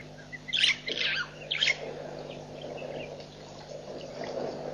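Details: White-backed vulture (Gyps africanus) at Nkorho Pan, 24 September 2007, gives three harsh, hoarse squealing bursts in quick succession, followed by a low background rumble and faint steady hum.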